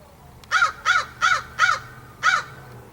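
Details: Crow calling from a post in a backyard on 16 September 2014. Five coarse, grating caws, the first four evenly spaced and quick, then a short pause before the last one.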